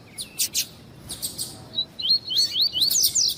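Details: Tui-tui style warm-up song of a double-collared seedeater, the kind used by tournament breeders: a few sharp chips lead into a fast run of rising, slurred high whistles.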